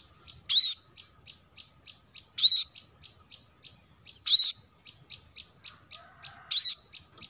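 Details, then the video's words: Brown-throated sunbird, used as a lure call for wild birds: loud, sharp high chirps about every two seconds, with soft, quick ticking notes running steadily in between. "suara pancingan kolibri kelapa"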